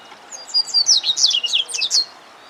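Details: Juvenile male double-collared seedeater in Argentina singing a fast, high, tumbling phrase of sweet slurred notes and twitters lasting about two seconds.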